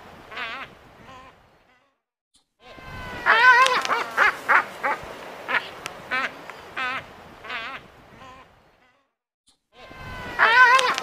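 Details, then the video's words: Screaming albatross: bursts of harsh, quavering calls delivered rapidly, with silent gaps between the bursts. The calls are loudest in the middle and again in the final loud burst. "Albatross Sound | Albatross Screaming"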